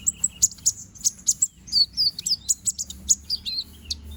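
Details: A bald young konin bird regrowing feathers chatters loudly: rapid high-pitched chirps and squeaky downslurred notes, several per second, almost continuous.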